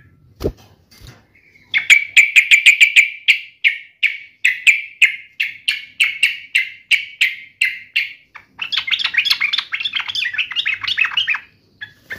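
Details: Agitated yellow-vented bulbul delivering a long series of clear, evenly spaced sharp notes, about three per second, that slow slightly before breaking into fast, bubbling chatter.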